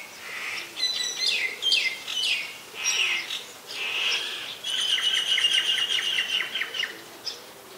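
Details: Common myna recorded in Ubon Ratchathani, Thailand, on 15 December 2020: a loud run of varied chattering notes, harsh bursts mixed with clear whistled tones, ending in a rapid buzzy rattling series of repeated harmonic notes.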